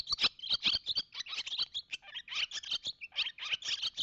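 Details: Male barn swallow at its nest on April 30, 2018, singing intensely, before the female arrives and the pair call to each other. A fast, continuous twittering chatter of high, scratchy notes and short squeaky trills.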